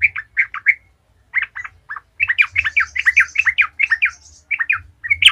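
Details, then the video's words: {'caption': 'Lively yellow-vented bulbul (trucukan) song used as a lure to set other bulbuls singing: short clusters of rich, gurgling whistled notes run into a rapid, rollicking chattering sequence, over a faint low hum.'} "Trucukan gacor ngalas ahlinya bikin trucukan lain kepanasan langsung jadi gacor ngalas"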